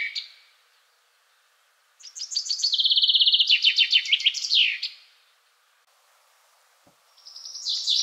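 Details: Common Chaffinch male singing: a fading end of one phrase, then a full song of fast repeated chipping notes dropping in pitch through several sections into a bright final flourish, followed by the start of another.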